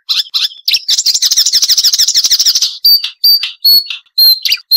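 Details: Marsh warbler song meant for training songbirds: rapid chattering trill running for about two seconds, then separate sharp high whistled notes with short pauses.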